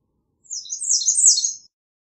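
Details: A short, scratchy, high-pitched warbled phrase from an American redstart, with notes running together for just over a second in a quiet setting.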